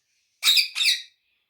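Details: A talking rose-ringed parakeet, said to speak Urdu and Hindi, gives a loud two-part screech, the second burst close behind the first, in a quiet room.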